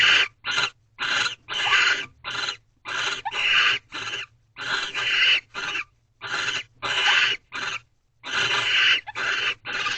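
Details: Barn owls performing a mating ritual inside a nest box at 2:15 am, March 3, 2023: repeated raspy hissing screeches of varying length, about three dozen a minute, in irregular bursts separated by brief silences.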